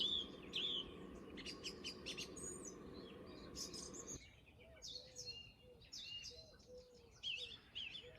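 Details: A male song thrush sings at dawn in February, loud after starting in January: high, varied phrases, many repeated several times over, up to five or six times. Steady background noise fills the first half, and other birds call faintly.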